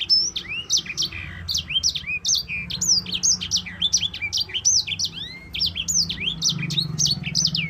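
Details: Yellow-fronted Canary (sanger) in sustained long rolling song, recorded as a lure and tutor for other songbirds: an unbroken stream of loud, high, steeply down-swooping whistles with occasional rising slurs, delivered rapidly, low hum beneath.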